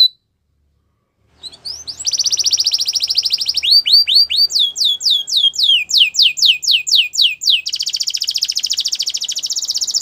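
A Belgian canary sings a bright, high, continuous song of rapid trills and fast repeated down-slurred notes, shifting between tours without pause.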